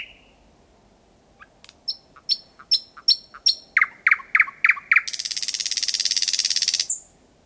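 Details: Thrush nightingale at 01:23 at night, Kiili parish, Estonia, sung from four or five metres: a quickening series of sharp clicking notes flows into a long, dense, buzzing rattle, ending on a high thin note.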